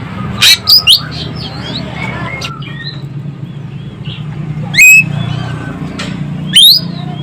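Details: Sumatran Asian glossy starling calling: a few piercing, steeply rising squeaks at irregular intervals, with faint thin whistles between them and a constant low hum underneath.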